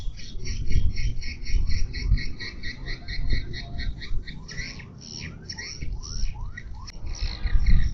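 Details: Swiftlet lure call played to attract birds to a nesting house: rapid repeated twittering chirps in a steady stream, with lower descending sweeps midway, over a loud low rumble.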